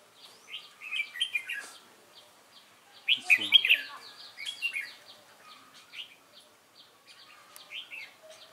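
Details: Red-whiskered bulbul, a wild-caught cage bird, giving its competition fighting song: runs of quick warbled whistles with a loud burst in the middle, over faint background talk.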